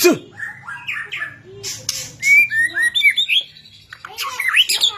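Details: Shama song used to stir sluggish white-rumped shamas to sing, with short rising whistles, harsh squawky notes and quick twittering phrases, a low background hum throughout.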